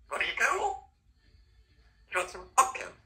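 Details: A 3-year-old female Congo African grey parrot talks in a human-like voice. She says a short phrase, pauses about a second, then gives two quick bursts that sound like a throat-clear or cough.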